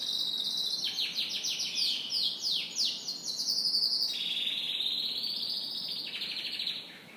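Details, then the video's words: Morning song of a canary, a continuous high warbling flow of quick descending notes merging into long rolling trills, bright and strong throughout before fading at the close. "Canary Morning Singing"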